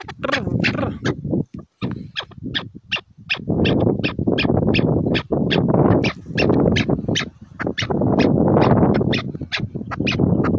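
A chukar gives a fast run of harsh clucking chuck notes, nearly four a second, over a steady low rumble of background noise.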